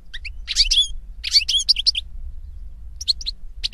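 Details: European goldfinch singing: two clustered bursts of bright, jumbled twitters and sharp high chirps, a short gap, then a few more tinkling notes, over a steady low background hum.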